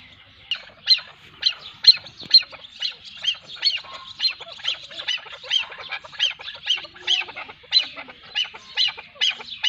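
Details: Chukar partridge pair with the female calling: soft, high, clipped notes repeated about twice a second in a steady run over a quiet background.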